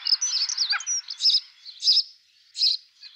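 A European robin sings a thin, high, tumbling warble, then three short bright bursts about two-thirds of a second apart, a courtship song.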